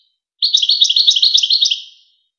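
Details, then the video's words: Goldfinch song from the famous Wakr Touzgha training tape for teaching young goldfinches and hybrids. One continuous, fast, liquid twittering phrase of about a second and a half, high and tinkling, fading into a reverberant tail over silence. "شريط وكر توزغة الشهير لتسميع فراخ الحسون و الهجين"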